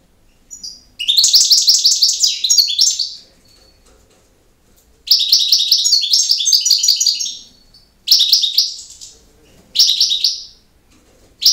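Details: European goldfinch, campero-style song: repeated bursts of rapid twittering, with high chiming notes mixed with harsh buzzy trills. Phrases come in long and short runs separated by pauses of one to two seconds, in an otherwise quiet setting.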